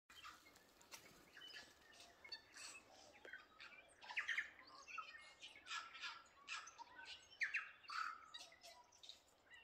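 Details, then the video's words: Birdsong at Waikawa: a busy chorus of overlapping chirps, short whistles and buzzy notes from several birds, growing louder and denser after the fourth second, with brief clear whistled phrases standing out. "Waikawa Bird Song"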